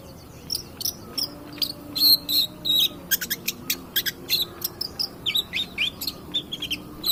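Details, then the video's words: Lure recording of a long-tailed shrike meant to provoke other birds: a dense run of rapid clicking, buzzy notes interwoven with thin whistled slurs, steady and busy throughout. "pancingan cedet pastol gacor"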